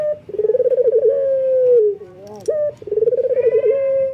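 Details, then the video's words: Male local Barbary dove in breeding condition, calling to females: a low, fast-rolling trilled coo that smooths into a long, steady drawn-out note, then a second rolling coo ending in another sustained tone. Clean, with no other sounds. "BURUNG PUTER LOKAL JANTAN BIRAHI MEMANGGIL BETINA"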